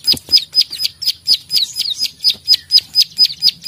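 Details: Plain prinia (prenjak sawah), described as a chatty fighting bird, giving its klik-klik call: sharp, high, downslurred clicks, about fourteen in under four seconds, repeated evenly roughly twice a second.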